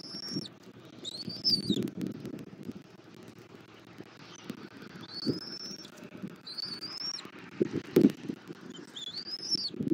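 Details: Bald eagle at its nest in Southwest Florida on 21 January 2024 around 09:15, feeding its chick after finding a stick; high thin piping chirps in short descending bursts, repeated several times over low rustling and bumping at the nest.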